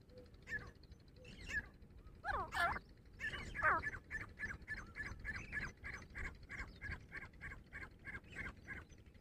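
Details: Grey francolin (dhakni teetar), a female, calling during a fight: a burst of loud harsh notes, then a steady series of short shrill notes repeated about once a second over rumbling background noise.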